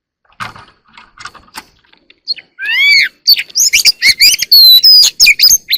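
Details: Early-morning Oriental magpie-robin song starting with faint soft notes, then swelling into loud varied whistles, slurred rising phrases and sharp chips delivered quickly for the last three seconds.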